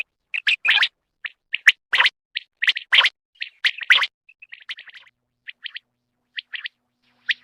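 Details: Quail song of scattered, bright chirps and short double notes, loud at first and then softer and more spaced toward the end, with quiet gaps throughout.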